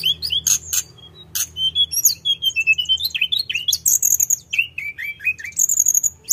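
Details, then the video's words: Tledekan gunung, the Sunda robin, singing without pause: sharp clicks, then long flowing phrases of slurred whistles rising and falling, mixed with high chirps and short trills. "Kicauan Tledekan gunung full gacor ngeroll"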